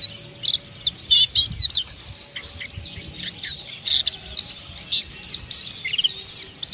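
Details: Mountain white-eye in ngeriwik and ngalas song: continuous high-pitched twittering of quick, sharp chirps and short descending slurs, with busy bursts and brief pauses, over a quiet background.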